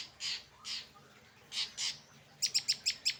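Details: Cendet, the long-tailed shrike, in late afternoon: four broad, scratchy notes spaced apart, followed by a rapid burst of five sharp, clipped high chips.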